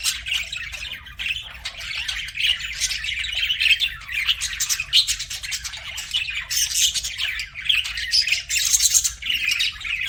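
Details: A long run of busy budgie chirping, several birds warbling and squawking over each other in a steady, scratchy, high chorus.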